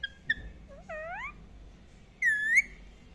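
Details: Indian ringneck parakeet giving short chirps: two brief clicks, then a pair of curving whistled notes, a pause, and one louder long whistle that dips and rises.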